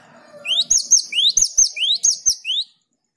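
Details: Java sparrow song used as a lure to provoke singing a long roll: a quick series of bright, rising whistled notes with high ringing chips, about nine notes in under three seconds, after faint background chatter.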